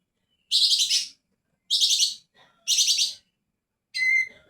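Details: Greater green leafbird singing: four loud, dense bursts of bright, scratchy chirping phrases, each about half a second long and spaced roughly a second apart, with a short whistled note rising near the end.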